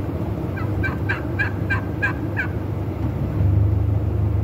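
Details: Wild turkey at a breeding display, one gobble: a quick burst of about eight sharp, rattling notes in under two seconds, then a deep engine-like hum swelling afterward.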